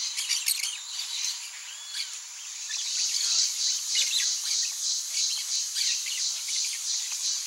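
Blaze-winged Parakeets give harsh, scratchy screeches in quick overlapping bursts, loudest in the first second, over a steady high pulsing insect drone.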